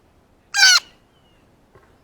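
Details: A single loud, rasping, broadband scream from a blue jay excited by a ripe banana, recorded very close, followed by silence and a faint later note.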